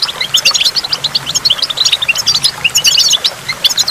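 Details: By a waterfall, a goldfinch pours out a dense stream of quick, liquid twittering notes, high-pitched and jumpy, with short bursts every fraction of a second and soft falling water underneath.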